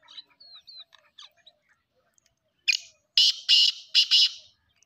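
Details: Black francolin giving its harsh grating call of several rasping bursts, ending in a quick pair, after a stretch of faint chirps and thin whistled notes from smaller birds.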